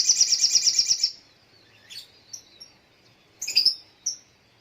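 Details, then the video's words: Morning song of a little spiderhunter: a fast, regular burst of piercing high notes for a second, then pauses broken by a few isolated sharp chips and a short double note. "Terapi Suara Burung Sogok ontong di pagi hari"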